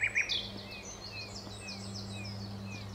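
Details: Nightingale at Alners Gorse, Dorset: two loud bright notes open the phrase, followed by soft, thin down-slurred whistles repeated about every half second over a low steady hum.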